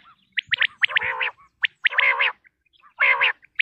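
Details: Calls of common quail (batair) in Pakistan: short bright notes that run into longer harsh, harmonic, slurred phrases, repeated about once a second.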